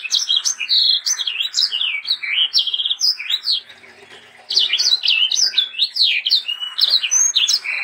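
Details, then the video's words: Sanger bird singing strongly as tutor song for young sangers: nearly unbroken, rapid, high-pitched warbling of zigzagging notes, dipping quieter around four seconds before resuming at full pace. "BURUNG sanger gacor untuk masteran dan pancingan sanger muda"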